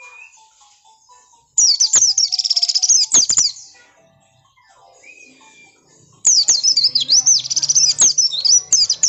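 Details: Two bursts of shrill, fast twittering from an oriental white-eye, sliding warbled notes packed tightly at a very high pitch and separated by a quiet gap. The song is meant to provoke rival birds to respond.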